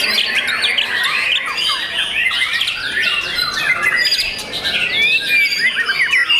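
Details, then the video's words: Young caged white-rumped shama in continuous varied song, dense overlapping whistles, slurs and sharp chattering notes mostly high-pitched, with no pauses across the stretch. "MURAI BATU PRESTIS SI MURAI MUDA YANG SPESIAL!!!"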